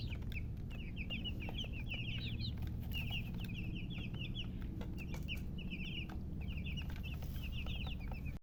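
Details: Freshly hatched chicken chicks peeping in bursts, short high chirps grouped in clusters of three to six with brief pauses between, many chicks together, low hum and clicking noises behind.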